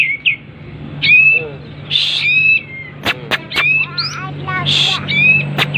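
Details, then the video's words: Kapas tembak in breeding condition with its tail spread, giving loud whistled chirps and a run of quick falling notes, with sharp clicks and some speech-like sound. "full kapas tembak gacor buka ekor birahi"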